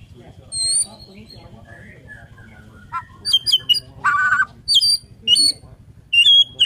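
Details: Borneo white-rumped shama singing in the morning, reportedly prompting other shamas to sing: thin high whistles, scattered sharp notes and a short harsh burst, with pauses between.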